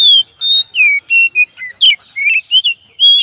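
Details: Oriental magpie-robin singing in a lure recording, with rapid clear whistles, some falling, some rising and some flat, delivered in a quick, uneven sequence of about ten notes within three seconds.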